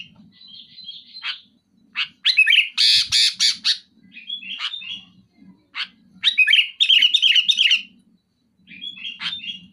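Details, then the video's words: Sooty-headed bulbul in full song to press a rival: warbled phrases alternate with loud, harsh rasping bursts in quick clusters, over a faint low hum. "Suara burung kutilang gacor muntahin isian besetan keras pedas tembakan rapat menekan lawan"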